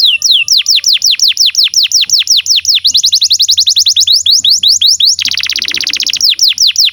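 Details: Canary song for training young canaries: a steady series of sharp descending whistled notes, nearly three per second, interrupted by a dense rapid buzzy trill, over a faint low steady hum.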